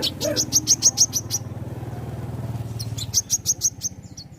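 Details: Caged sunbird kept in a collection, singing in a lively way: a fast series of sharp, high chirps about five a second, pausing and then starting again, over a steady low hum.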